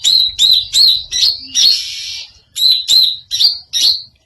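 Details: Greater green leafbird producing a strange sound: a string of quick high chirped whistles, interrupted midway by a longer harsh rasping note, then more evenly spaced chirps.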